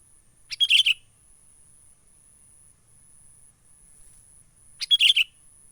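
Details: Sooty-headed bulbul from the wild, used as a trapping lure, gives two short bursts of sharp, bright chirps about four seconds apart, with a faint steady high hiss behind.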